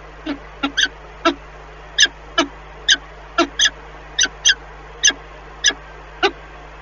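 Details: Peregrine falcon voices from a neighbouring nest, heard in Lublin, Poland, on the morning of 14 April 2020 while eggs are turned: a quick run of sharp, harsh notes repeated about every half second over a constant low hum.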